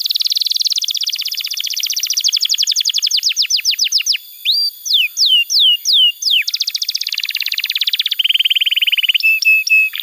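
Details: Strongly singing canary, played to teach young birds and revive ones that stopped singing: dense trills give way to spaced, looping whistled slurs, then return to rapid rolling trills and short sharp notes.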